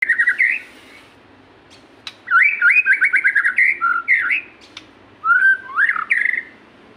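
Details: White-rumped shama song played as a lure to make reluctant kept shamas sing: bursts of rich whistled notes and rapid trilled phrases between one and four kilohertz, separated by short silent gaps.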